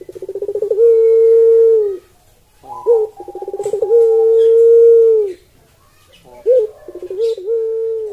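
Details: A Barbary dove (Streptopelia risoria, puter pelung) gives three low, rolling coos, each opening with a quick purring stutter and swelling into a long, smooth, mellow note lasting about a second.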